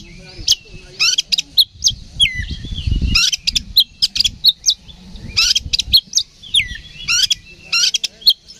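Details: Magpie-robin singing hard to provoke a fight, used as a bait recording to rouse other birds: a dense stream of rapid chips, bent whistles and rasping bursts, with a low rumble near the middle.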